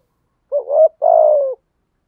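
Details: Decoy cooing of a spotted dove in the thổ style, meant to prompt other doves to answer. One clean two-part phrase: a quick rising note followed by a longer, gradually falling coo.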